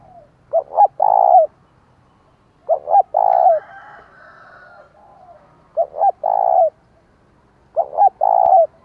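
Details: Spotted dove kept as a decoy, delivering a loud challenge call meant to stir up wild rivals: four clear phrases, each two quick hoots and a drawn-out coo, spaced roughly every two and a half seconds.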